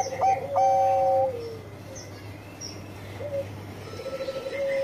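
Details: Bangkok-type zebra dove, noted as a frequent sweet singer, opening with two sharp clipped notes and a held coo that drops away, then only faint, soft cooing fragments through the rest.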